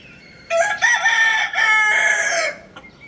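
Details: A rooster crowing once, a loud harmonic cock-a-doodle-doo of about two seconds, broken into three linked parts with a level then slightly falling tone, against a quiet background.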